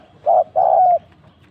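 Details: A single mellow coo phrase from a spotted dove used as a trapping decoy: a short clipped note, then a longer sustained coo tapering at the end, in quiet surroundings.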